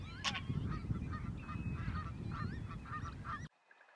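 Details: Greylag goose in Belgium, 2017: a rapid series of nasal, honking calls, about two or three per second, over a steady low rumble of background noise, cutting off abruptly near the end.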